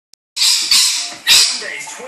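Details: Pet rainbow lorikeet indoors, squawking and flying as it wakes its owner in the morning: harsh, broad screeching squawks in three loud bursts, with a brief click before them, in a small room.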